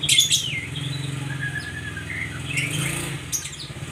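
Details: White-rumped shama, recorded as therapy for kept birds, opens with a sharp chirpy burst, then gives varied whistled slurs and short sweeping notes above a constant low engine hum.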